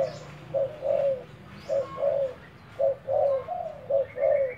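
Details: Decoy spotted dove repeating short, low, rounded coos in spaced pairs and triplets, close to one per second, against a quiet background.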